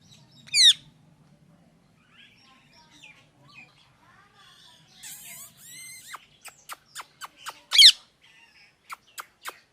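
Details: Parrot giving scattered calls: a loud harsh screech, soft squeaks and short tonal notes, then a rapid run of sharp clicking chirps and another loud screech; otherwise quiet.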